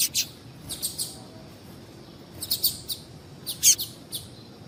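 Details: Female double-collared seedeater calling to excite males for song competitions: irregular high chirps, some doubled, in loose clusters, with one louder ringing note near the end.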